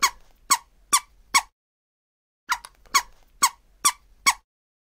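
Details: Scarlet ibis calling in sharp, squeaky bursts: four rapid notes roughly twice a second, a silent gap of about a second, then a run of five more similar notes.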